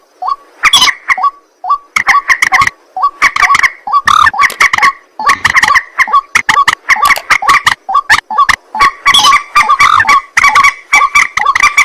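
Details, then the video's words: Long nocturnal sequence from a white-breasted waterhen: clipped rising notes alternate with stuttering runs of harsh croaks and honks, growing denser toward the end. "ruak ruak mandar batu mp3 2 suara burung malam hari"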